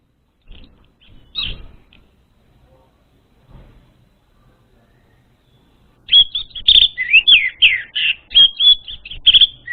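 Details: Training lure of orange-headed thrush song: a few isolated thin notes, then a continuous, energetic stretch of bright, fast whistles, trills and slurred phrases, repeated without pause through the last four seconds.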